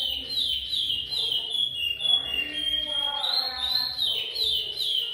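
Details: A chestnut-bellied seed finch (curió) from a breeder, of the Goiano repeater song type, sings a continuous run of clear, fluty whistles rising and falling in quick varied phrases over a faint low murmur.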